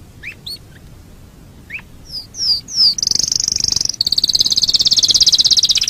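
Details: Canary master song for training other birds: scattered sharp chips, three falling high slurs, then a long, loud, very high rattling trill to the end.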